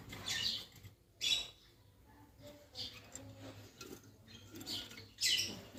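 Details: Green Fischer's lovebird pair chirping: short, sharp, high-pitched bursts, two early and two near the end, separated by quieter stretches with faint low hum in the background.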